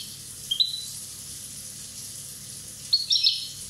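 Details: Corsican European goldfinch at one year old giving a short sliding chirp, then after a pause a busier cluster of bright, tinkling twittered notes.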